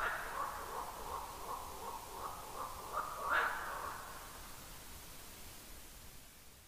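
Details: A Ural owl at 00:26 on 1 August 2022, under a black stork nest tree, gives hoarse, harsh barks over a rough, buzzy background, one louder bark mid-way, then fades.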